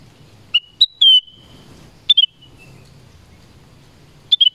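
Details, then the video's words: Black-crested bulbul calling in the forest, giving clear whistled notes with a long steady level tone, then short double-chirped phrases separated by pauses of about two seconds. "BLACK CRESTED BULBUL SONG & CALL"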